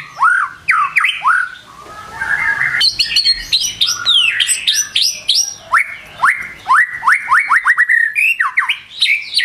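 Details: Morning lure song of a White-rumped shama, used to prompt birds to sing quickly: sweeping rising whistles, short sharp chips and a fast series of upward slurs, loud and varied.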